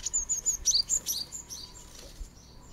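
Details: Japanese tit at fledging time at a garden nest box in a Japanese hillside residential area; a rapid series of loud, high, thin whistled chirps and short slurred notes, fading after two seconds.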